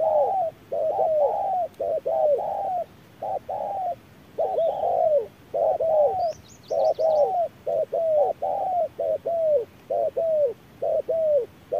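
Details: Spotted dove, a decoy bird dueling with a wild bird at midday in harsh sun: steady run of paired, hoarse, downward-curving coos repeated about once a second, with a faint high twitter from another small bird midway.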